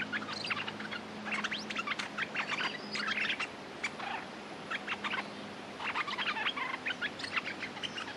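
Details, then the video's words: Streak-eared bulbul song from a territory holder ready to fight, played as a lure: dense runs of sharp, clipped chattering notes in two long bursts with a short lull between, over a faint low hum. "เสียงนกดอกแตงEp.180 จ้าวถิ่นจะรบอย่างเดียว!! Suara pikat merbah lekir gacor"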